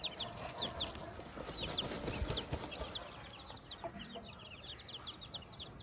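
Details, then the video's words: Chicks beside their mother hen on a farm, a steady stream of high, downslurred peeps from several birds, over soft low rumbling and scuffling. "the hen with her chicks"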